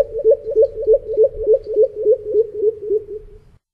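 A pheasant coucal gives a run of about a dozen deep, hollow whooping notes, roughly three per second, sinking slightly in pitch and fading toward the end.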